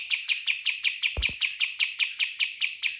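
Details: Kapas tembak singing in rapid-fire style as a training lure: steady, quick, high chirps repeated about four times a second with two soft low thumps in the middle.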